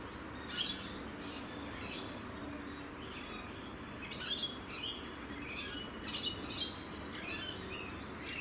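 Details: Rainbow lorikeet in Australia: scattered sharp, shrill screeching notes rising and falling, several overlapping, over steady broadband background noise.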